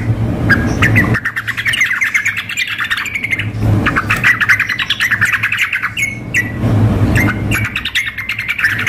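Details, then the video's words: Sooty-headed bulbul, female calling a male combined with an agitated singer in a contest simulation; repeated bursts of fast scratchy chatter with short whistles, several loud thumps and a low hum. "kombinasi trucuk memanggil dengan trucuk gacor mengamuk suara simulasi kontes"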